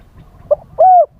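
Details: Captive spotted dove calling live to attract wild doves: a short soft note, then one smooth, sustained coo that dips at the end, with the start of another phrase at the close.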